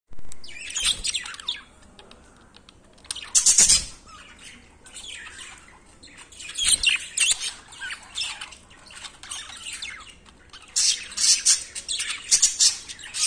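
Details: Budgerigars in breeding season chatter in bursts of scratchy, high-pitched warbles and chirps, separated by brief pauses.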